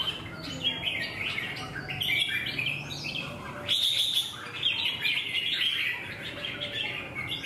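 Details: Wild-caught red-whiskered bulbul in a fighting contest, competing and displaying; bright chirping phrases and warbled notes sound almost continuously, with several overlapping birds and low background hum.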